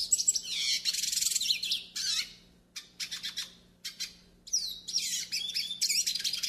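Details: Yellow-faced siskin song used to train and warm up other siskins: a rapid, high twittering song of tinkling notes and buzzy trills, delivered in bursts with short pauses.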